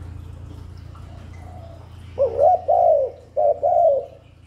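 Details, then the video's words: Spotted dove coo used to attract wild doves and stimulate new captives: after a quiet stretch with low hum, two throaty two-note coos, each a brief note followed by a drawn-out falling one. "Chim cu đất, cu cườm gáy gù thúc kéo bổi về tàng, cu gáy kích bổi mới nuôi"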